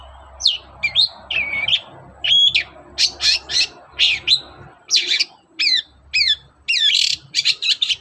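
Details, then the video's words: Long-tailed shrike morning song used to lure other shrikes into singing: varied whistled slurs, buzzy bursts and repeated down-slurred notes in an irregular, lively sequence with low background hum. "SUARA PANCINGAN BURUNG CENDET GACOR PAGI HARI"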